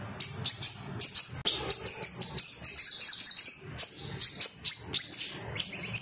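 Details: Agitated male Ruby-cheeked sunbird, sogon, seeking rivals: a fast chattering run of high chirps merges into a sustained thin twitter near the middle, then breaks into spaced notes again.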